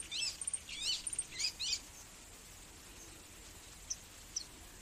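Magnificent sunbird giving a quick burst of thin, high, twittering chirps, then two sharp ticks after a pause, over a soft steady background hiss.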